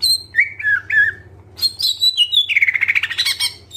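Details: Greater green leafbird with full isian song: wavering mid-pitched whistles, a jump to higher chirps, then a fast buzzy rattling trill, all over a faint persistent hum.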